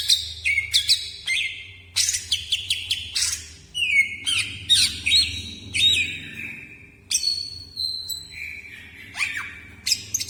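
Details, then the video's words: Greater green leafbird singing in a sumberlan style while moving its wings: a lively run of varied whistles, buzzy bursts and sharp slurred notes, with some notes held level and others swooping down, over a low steady hum. "Burung Cucak Ijo keluar Sumberlan di sayap"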